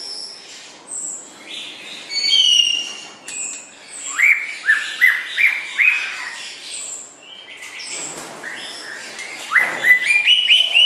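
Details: White-rumped shama song recorded for training songbirds: high thin whistles, then a series of loud upslurred whistled notes about every half second, a pause, and more rising whistles.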